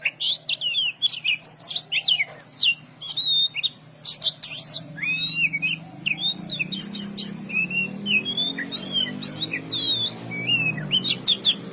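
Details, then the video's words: Oriental magpie-robin singing a rich, varied run of clear whistled phrases, rising and falling slurs and quick chirps, delivered almost continuously with brief gaps; a low steady hum sits underneath. "dengarkan kicauKACER INI pasti burung anda akan betambah master"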